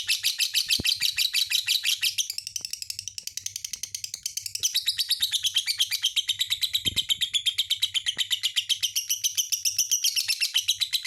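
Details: Lovebird chattering continuously in a dense, buzzy stream of fast high chirps and squeaky warbles, with occasional faint clicks in the background.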